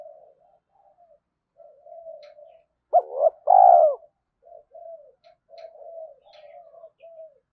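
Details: Spotted dove in early morning cooing to provoke fighting and lure, one loud phrase of two short notes and a long coo amid ongoing soft murmuring coos, with faint high chirps from other birds.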